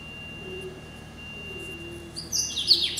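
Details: A hybrid finch (yellow-eyed canary × Timbrado canary), a male hatched in November 2012, breaks into a brief burst of high, bright twittering notes near the end, after quiet with a faint steady hum.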